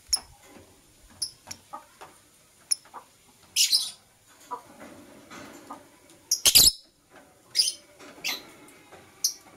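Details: Morning chirping from a green and blue masked lovebird: bright, piercing tweets interspersed with rasping, noisy bursts and a fuller harsh outburst near the middle, over quiet murmuring.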